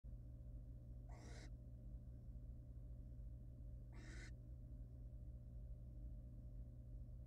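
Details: Barn owl male bringing a rabbit to his mate as she incubates four eggs in a nest box, Everglades Agricultural Area, Florida, USA. Two short harsh hissing screeches about three seconds apart over a steady low mechanical hum.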